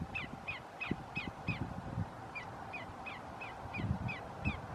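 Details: Greater yellowlegs calling at Roxbury Park, Meggett, South Carolina, on 5 January 2019: a steady run of about twelve clear, ringing, slightly downslurred notes, roughly three per second, over faint low rumble.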